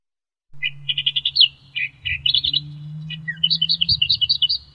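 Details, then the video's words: Australian reed warbler, endemic to Australia and found perching in reeds. Its song is a varied sequence of repeated chips, slurred notes and fast trilled runs, and it shifts pattern every second or so. "SUARA KICAU BURUNG Kerakbasi australia"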